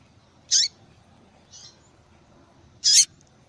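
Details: Two strong, high chip calls from a female yellow-bellied seedeater, about two and a half seconds apart with a faint soft note between, given to encourage a male to sing.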